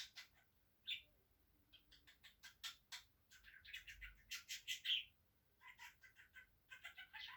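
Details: Talking budgerigar kept as a pet, mimicking Turkish words like "annecik" and "babacık" and a mother's cough. The clip holds rapid high chirps and chattering twitters in loose bursts, with a sharp squeak near the middle.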